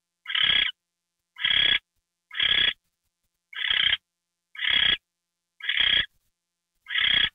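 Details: Owl given a mouse treat on a January evening, 9:33 PM, calling in a rapid series of seven harsh, rasping screeches, each about a third of a second long, roughly one per second, with no other sounds.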